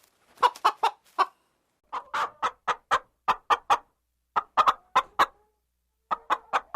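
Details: Clucking chickens and hens, short abrupt clucks in uneven bursts of three to five, separated by short silences, each cluck clipped and slightly nasal.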